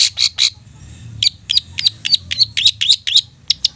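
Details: Lure song of the long-tailed shrike, meant to provoke mute birds into full, excited singing: a fast series of sharp, rasping high notes, about four each second, some with a brief whistled tip.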